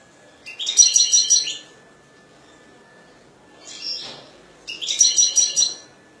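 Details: European goldfinch singing: two bright, rapid twittering bursts about a second long, with a softer phrase between them, set against a quiet background.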